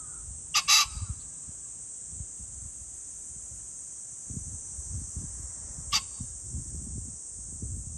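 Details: Pheasant calling on 21 July 2024: a loud, harsh double burst near the start, then one shorter single burst later, over a constant high insect drone and low rumbling background noise.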